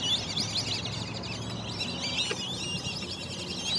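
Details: A flock of black-bellied whistling ducks waking up in the morning at Lake Elberta gives overlapping high, squealing whistles in quick bursts, while a low steady hum runs underneath.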